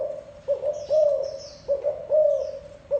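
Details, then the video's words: Brief stretch of thổ đồng spotted dove cooing (gù): deep, rounded coo notes in quick pairs and longer swells, a few faint high chirps from other birds in the distance. "Tiếng chim cu gáy thổ đồng gù cực hay cực chất"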